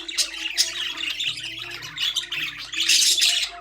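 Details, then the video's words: Budgerigars in a birdcage chirping: a busy, overlapping chatter of scratchy high chirps and squawks, with a low steady hum running underneath. "Budgies parrot #chirping sound"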